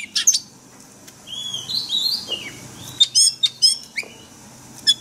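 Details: White-rumped shama song used for training caged birds in a forest-style voice: sharp high whistles, slurred notes and clicky bursts between pauses, with a faint low hum underneath.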